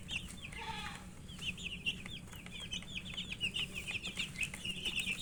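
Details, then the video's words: Feeding chicken chicks keep up a lively chorus of high, slightly rising peeps, thickening toward the end, preceded by a short lower call, with pecking clicks and a low hum. "Murgi chicks Chirping sounds and eating"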